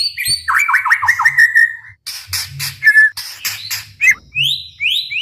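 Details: White-rumped shama song used to provoke rivals: a rapid warbled phrase, then broad scratchy bursts and short rising whistles, with pauses and a faint low hum.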